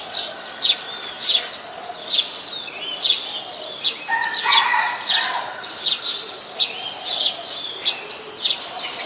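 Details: Brown-throated sunbird in Ubon Ratchathani, Thailand, on 13 January 2021, Nikon P1000. Crisp high chirps repeat at a steady pace, joined midway by a lower, fuller twittering phrase.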